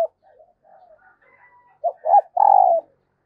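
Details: A female dove (Vietnamese "cu mái") gives soft, low cooing notes, quiet at first, then three louder coos in quick succession, the last drawn out; a call used to stir up male doves.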